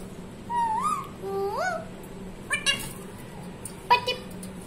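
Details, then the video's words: Talking parrot producing two rising, whistled speech-like syllables followed by short clipped, clicky harmonic sounds, with a low constant hum in the room. "talking parrot ❤️। बोलने वाला तोता ❤️"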